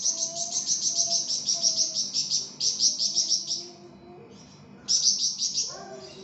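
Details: Flamboyan (pied fantail) singing vigorously, used as a training recording for songbirds: bursts of rapid high chirps, about six per second, pausing briefly, with faint lower whistles from other birds underneath.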